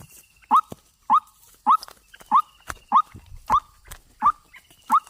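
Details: White-breasted waterhen call used as a trapping lure: a short, sharp rising note repeated roughly every 0.6 seconds in a steady series, loud and clear over faint clicks and taps.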